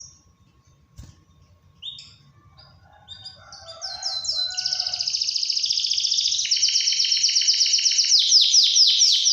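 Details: Canary song used as a trigger to make lazy or silent canaries sing and to stir females in breeding condition, a rolling 'wit wit werrr' style: scattered high chirps, then a long, loud, fast rolling trill of rapid high notes, with a faint low hum early on.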